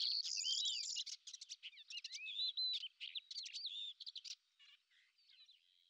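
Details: Lesser grey shrike, a predator that hovers in one spot while hunting, filmed in Azerbaijan: a harsh, buzzy chatter with sliding whistles that fades into quiet after about four seconds.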